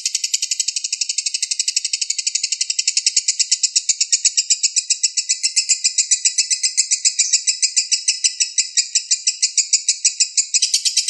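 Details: Lovebird balibu, a bird younger than five months, giving a long master song for tutoring competition birds; an extended stream of rapid, closely spaced shrill chirps lasting over ten seconds without pause.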